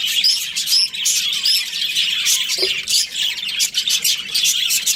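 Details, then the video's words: Breeding pair of Australian budgies: quick rising squeaks stand out over a dense bed of high, rasping chatter that never stops. "Budgies Parrot chirping sounds"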